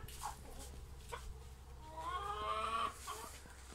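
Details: Brahma ornamental breed young rooster in Istanbul, 2020, giving a brief raspy crow of about one second, strained and level in pitch, after a few soft clucks, over constant low rumbling background noise.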